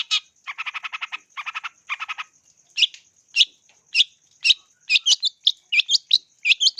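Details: Long-tailed shrike in energetic full song, used as a lure recording to train birds: bursts of rapid buzzy rattling trills, then sharp, separate chipping notes coming faster toward the end, over a steady thin high whine.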